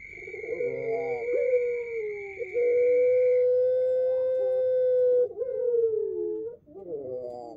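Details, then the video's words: Pelung-style cooing from a male ringneck dove used as a lure: one very long, level, mid-pitched coo lasting several seconds, framed by short wavering notes, with a faint steady high tone early on. "puter pelung indukan jantan pancingan ampuh"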